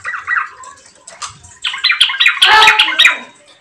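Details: Yellow-vented bulbul song used as a lure to get other bulbuls singing: brief warbled notes, then a dense chattering burst mixed with sharp clicks and rustling.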